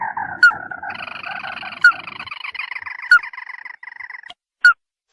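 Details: Crake lure call for trapping birds in rice fields, from the local red-eyed crake: buzzy, harmonic croaking notes run on in a steady churr, broken by sharp clicks about every second and a half, fading to short separate notes near the end.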